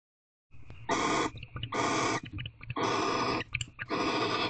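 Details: Barn owl pair mating and bonding in a nest box at night, the male approaching the female gently, with owlets present: harsh, broadband hissing screeches about half a second long, repeated roughly every second, with rustling and clicks between.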